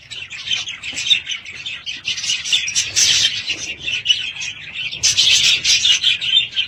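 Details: Several home budgerigars chatter continuously, scratchy warbles swelling into louder bursts of overlapping chirps and squawks, then easing back to soft twittering.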